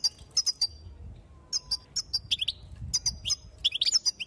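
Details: European goldfinch female excitement call aimed at males: crisp high tweets in pairs and threes, building to a denser twittering run near the end.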